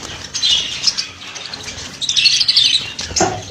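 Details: Budgerigars offered for sale, several birds giving high warbled chirps in two bursts, the second louder and more tuneful, followed by a short sharp squawk.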